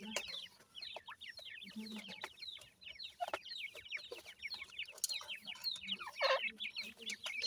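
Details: Young francolin chicks with their family: many thin, high, falling peeps overlap almost continuously, with a few low clucking notes and brief scraping noises in the background.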